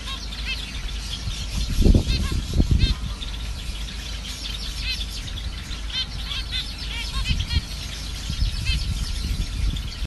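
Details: Several zebra finches, kept in pairs, keep up short, nasal, high-pitched beeping calls over a low rumble.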